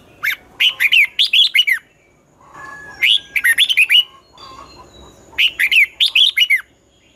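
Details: Red-whiskered bulbul in competitive morning song, 'giọng xoắn' twisted style for training young birds: three lively phrases of clear, down-slurred whistled notes, roughly every two and a half seconds.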